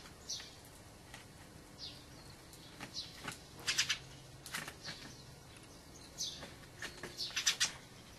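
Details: Wintering dusky thrush, a migrant from the far north, uttering scattered short high chattering call bursts, with faint rising notes between them over steady low background noise.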